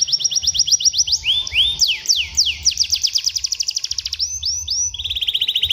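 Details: Canary tutor song for teaching young canaries to sing and roll: fast rolling trills of sharp repeated high notes, shifting between several trill types with sweeping slurred notes between, over a faint low hum.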